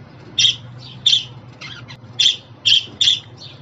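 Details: Budgerigar calls said to excite a pet budgie: six short, scratchy squawks at uneven intervals with softer chirps between, over a faint hum.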